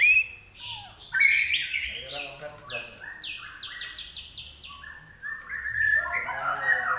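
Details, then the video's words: Common iora in lively, varied song: fast runs of bright chirps and whistled notes, rising and falling, with a faint low hum underneath. "larwo Gacor"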